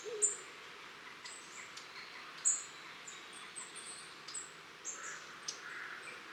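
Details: A flock of long-tailed tits visiting a garden in Cornwall on 23 October 2015, giving thin, very high, short see-see calls scattered irregularly every second or so over faint background hiss.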